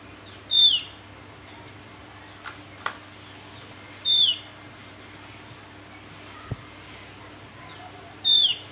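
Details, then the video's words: Javan white-eye calling: three thin, very high, quickly falling whistled notes spaced about four seconds apart, with a few soft clicks and taps between them and a faint steady hum. "Panggilan burung Opior Jawa"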